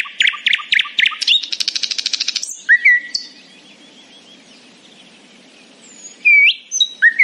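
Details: A nightingale singing happily in the morning gives rapid repeated notes and a harsh rattle, falls quiet for a few seconds, then resumes with clear rising whistles.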